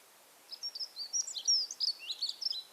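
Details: Dunnock in spring, a garden bird of Monkstown, Dublin: a thin, scratchy warbling song, a quick jumble of high squeaky notes with no big shifts in pitch or volume, over a quiet background.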